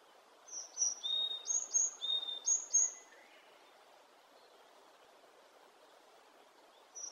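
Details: Varied tit in the wild delivering a run of high whistled two-note phrases, repeated rapidly for about three seconds, then silence and the start of another phrase.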